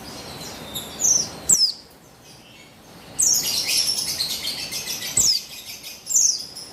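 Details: Female buxtoni white-eye, used to provoke male song, dated 3/8/21: scattered high downslurred chirps and a longer dense twittering stretch in the middle, then two more sharp notes.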